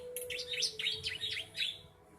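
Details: Three-month-old bar-winged prinia (ciblek) giving a quick run of sharp, high, twisting chirps, about five in two seconds, over a faint steady hum.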